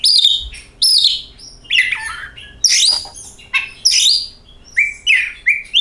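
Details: Magpie-robin singing a lure song meant to set other birds singing: a rich, varied string of loud whistles, slurred downward notes and quick repeated upslurred chirps, with faint low background hum.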